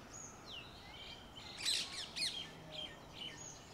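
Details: A red-vented bulbul (Pycnonotus cafer) in a garden habitat in India gives a quick burst of bright, chirpy notes over a few seconds, with thin whistles and other faint birds in the background.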